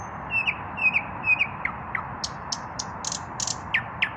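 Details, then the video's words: Unpaired male common nightingale singing at dusk: three paired whistled phrases, a couple of sliding notes, then loud sharp clicking strokes spaced irregularly, with steady background hum. "Наслаждаюсь вечерней песней соловья"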